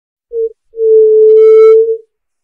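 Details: A white-tipped dove gives its song, a low, pure hoot: a brief first note, then a long, steady, mournful one, with a faint, higher tone briefly overlapping it.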